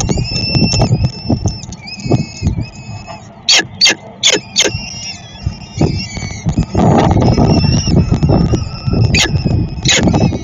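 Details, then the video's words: Peregrine falcons being fed in Szczecin, Poland, 22 April 2021: long, even, high squealing notes at first, then sharp clicks and scraping, rustling noise with fainter calls. "Sokół wędrowny--Szczecin - Dream Jump 22.04.2021--karmienie."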